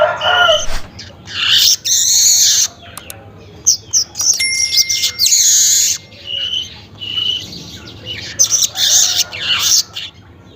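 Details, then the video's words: Weaver recorded early in the morning, about 5:40 am, giving a run of loud, wheezy, sizzling buzzes separated by short pauses, with a few thin pure whistles mixed in. "suara pancingan burung manyar pagi hari"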